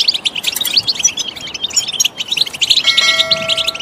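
Goldfinch song: a fast, tinkling stream of high twitters and buzzy notes throughout, with a steady chime-like tone sounding over the last second.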